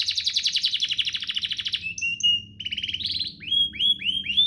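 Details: Domestic canary song, played to train young canaries and prompt singing: a buzzy rolling trill gives way to pure steady whistles, then rising upward-curving notes repeated about three times a second.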